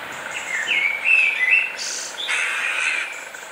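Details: Young western jackdaws in a back garden in Weert, the Netherlands, give squeaky, slightly nasal calls in a quick uneven run, then a longer raspy note, over a soft outdoor hiss.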